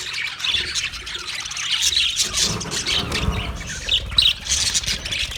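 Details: Budgerigars, dated 29 February 2024, giving harsh, scratchy squawks and chirps in a near-continuous flow, with a low rumble in the background during the middle section.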